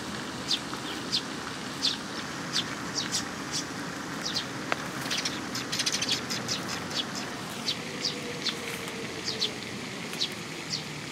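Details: Young sparrows come for food at a Tenmangu shrine on 18 May 2021. Many quick high chirps scattered throughout, bunching into a busier flurry midway, with a low background hum.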